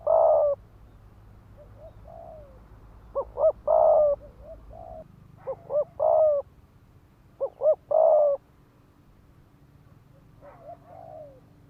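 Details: Decoy spotted dove giving rapid 'thúc gù' cooing used to rouse males to fight: short paired notes, each followed by a longer throaty coo. Phrases are repeated with pauses, and faint softer coos come between them.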